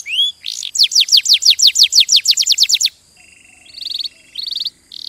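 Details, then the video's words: Canary song: rising whistled notes, then a rapid run of descending chirps, followed by a softer buzzy tone and two brief rattling bursts. "غناء كناري روعة Nyanyian burung kenari itu luar biasa"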